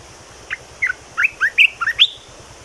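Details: Caged red-whiskered bulbul singing a new song phrase: about eight short, bright, slurred whistled notes, some rising and some falling, delivered quickly over two seconds against a quiet background hiss.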